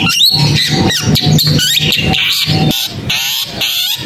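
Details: Long-tailed shrike: loud, jumbled high notes, swooping whistles and rasping chatter repeated in quick bursts, about two per second, with low hum behind.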